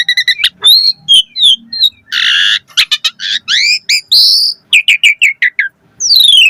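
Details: Lure recording of a chatty Asian pied starling song full of fill phrases: staccato chirps, a loud raspy burst, rising whistles, a run of repeated chevron notes and a final falling whistle.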